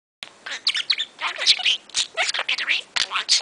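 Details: Pet budgerigar talking rapidly in the morning after listening to music, a fast stream of scratchy, chattering mimicked speech with sharp high chirps and warbles, bursts following each other almost without pause.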